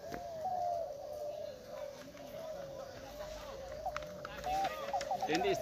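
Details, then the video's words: At a 2021 klantan singing contest in Gunung Kembar, East Lombok, numerous spotted doves coo together in a continuous mellow drone, with occasional sharper chirps and faint human voices in the background. "Lomba Derkuku Klantan Lombok 2021"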